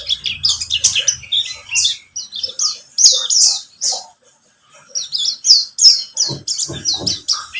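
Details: Pleci buxtomi white-eye song played as a lure to get a bird singing: rapid high chirps and twittering trills in quick bursts, a short pause near the middle, then more chattering phrases, with a faint low hum early on.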